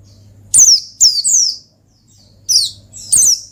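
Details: High, thin descending chirps from an Oriental white-eye in 'ngalas' mode, used to call and stir up a rival: two quick notes, a pause, then two more bright sliding notes, with a soft low hum behind.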